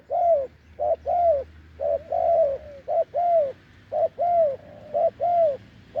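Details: Wild spotted dove with a deep voice, recorded during decoy luring on a branch: low, rounded hooting coos, short notes alternating with longer drawn-out ones, roughly one per second, over a faint low hum.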